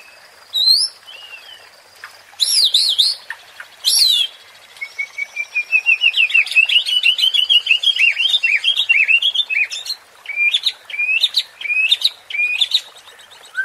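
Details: White-rumped shama song for provoking competition birds: scattered high whistles and harsh buzzy bursts, then a long fast chattering warble, finishing with clear rising whistled notes.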